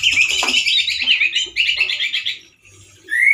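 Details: Male orange-headed thrush giving loud, harsh song: dense buzzy twittering bursts mixed with slurred whistles, a short pause, then a rising whistled note at the end.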